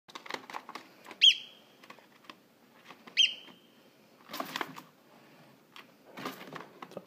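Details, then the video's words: Rescued Eurasian oystercatcher chick peeping for its parents: two thin, high, slightly falling peeps about two seconds apart, over soft clicking and rustling with brief bursts of handling noise. "Eurasian Oystercatcher Chick's Peeping"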